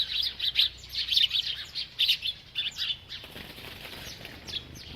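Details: Eating bird chattering in dense, high chirps for three seconds, rapid and uneven, then fading to fainter scattered notes over a soft rustling background.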